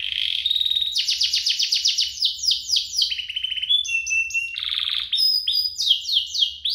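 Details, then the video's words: Domestic canary duo singing loudly, used to coax canaries into song and to teach young birds; long series of quick descending chirps, then a steady whistled note and more fast rattling rolls. "Kompilasi DUO GACOR, cocok untuk pancingan kenari biar gacor, masteran kenari paud"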